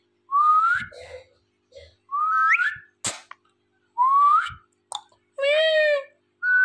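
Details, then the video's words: Indian ringneck parrot talking and dancing, giving loud rising whistles, one every couple of seconds, with short sharp clicks between them and a nasal, meow-like harmonic call near the end. Faint music in the background. "Indian Ringneck Parrot Talking"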